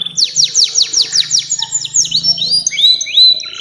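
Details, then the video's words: Canary 'nembak' song used to lure young canaries and as master song: loud repeated downward-sweeping notes about four per second, then high whistled slurs, over a steady low hum. "SUARA KENARI NEMBAK PANJANG‼️cocok buat pancingan kenari muda dan masteran burung"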